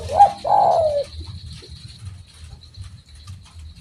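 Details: Spotted dove (derkuku) giving one phrase: a short note, then a long coo that slides down, followed by quiet with a faint steady high tone and low hum.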